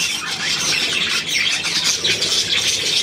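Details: Short burst of dense budgerigar chatter, many overlapping high, raspy chirps and squeaks forming a continuous wash.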